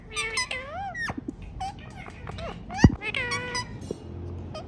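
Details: Rose-ringed parakeet, kept as a pet, talking with nasal, bending word-like syllables and short sharp clicks, including one loud low thump midway.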